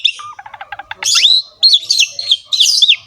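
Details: Javan pied starling singing in 'ngerek' style for training kept birds: soft low stuttering notes, then loud arched whistles repeated three times, with scratchy overtones.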